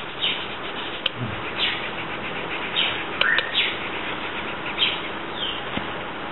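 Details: Senegal coucal chicks within their first month, nest destroyed at roughly three days old: a scattered series of thin high chirps and squeaks, some doubled, with a few clicks and soft knocks amid constant hiss.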